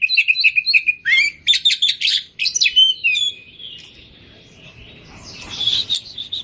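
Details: Oriental magpie-robin singing 'gacor', full of 'isian' phrases meant to set off quiet birds. A fast run of bright repeated chirps and slurred whistles, then a long thin drawn-out whistle under rising hiss, ending in a burst of noisy notes.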